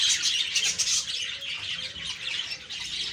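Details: Budgerigar group chattering on a morning, October 2, 2023, a rapid flow of high squeaky chirps and buzzy warbling notes pouring out several times a second.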